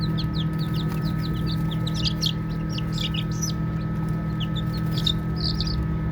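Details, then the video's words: Playing baby chicks make louder, fuller high peeps and chirps, some close and bright, overlapping irregularly above a low background hum. "Baby Chicks Chirping Sounds"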